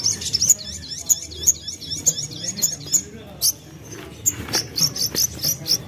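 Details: Common iora, locally called sogon or sogok ontong, a young bird, used as a lure to draw other birds into song: rapid high twittering phrases repeated about twice a second, then sharper chirps, with faint low background hum.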